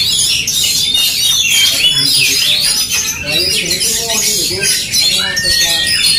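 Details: Aggressive duel between Oriental magpie-robins: a nonstop torrent of bright whistled notes, buzzy trills and rasping squawks layered over one another, with quieter mid-pitched chatter below and faint background murmur.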